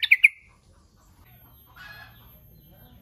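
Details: Sooty-headed bulbul lure call for drawing rivals: three rapid, sharp notes at the very start, followed by quiet hiss and a faint scratchy rustle.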